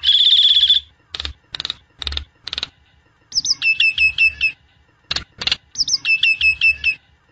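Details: Lure sound for a Nias hill myna to make it sing: a long harsh buzzing note, a few sharp clicks, then two runs of quick repeated whistled notes.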